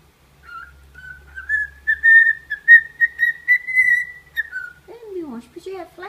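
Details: Caged cockatiel seeing its reflection in a suitcase and starting to sing: a steady series of whistled notes rising slightly in pitch, then a falling tone and low murmuring.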